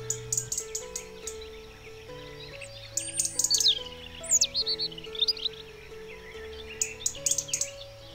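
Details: A European robin sings in early spring (13 March 2019), probably a territorial song: thin, high, tumbling phrases of sweet whistles and quick trills in short bursts, over soft background music.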